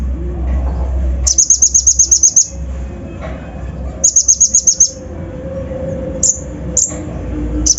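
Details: Brown-throated sunbird (konin), a lure recording with full rough 'isian' fill meant to excite young birds: two bursts of rapid, very high, thin ticking notes, about a dozen each, then scattered single high chips over a low background hum.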